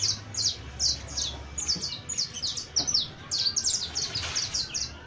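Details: Juvenile saffron finch song made of bright, high chirps in quick clusters, bunching faster and denser toward the end, against a low droning background.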